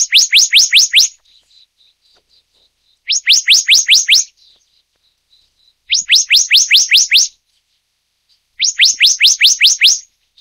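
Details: Taiwan-endemic subspecies Hypothymis azurea oberholseri of Black-naped monarch gives quick bursts of six or seven sharp, high, rising notes, each burst about a second long, repeated every three seconds against a quiet background.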